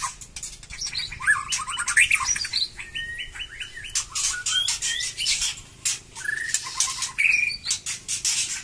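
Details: White-rumped shama of the Batu Kurau strain, its song just turning lively again after moulting: varied clear whistled phrases, some rising and some falling, mixed with rapid buzzy trills and sharp dry clicks.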